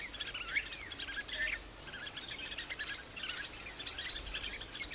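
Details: Angry bulbul giving rapid, chattering chirps with a few clearer sweeping, slurred notes that rise and fall, delivered in uneven bursts against a continuous faint high hiss.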